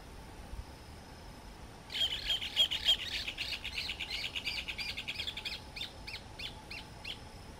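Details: Least grebe recorded at Arapongas, Paraná, Brazil: a sudden loud, fast chattering trill of high notes that gradually slows into separate spaced chirps over about five seconds, quiet surroundings before and after.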